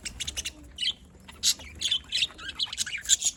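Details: Happy budgies in Larkana, Sindh, giving short scratchy squawks and sharp chirps in uneven quick bursts.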